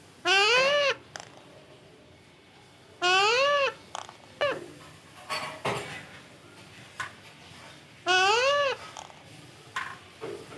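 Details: Indoors, a parrot repeats a short meow-like call three times, each arched and richly harmonic, spaced a few seconds apart, with scattered soft clicks and knocks between calls.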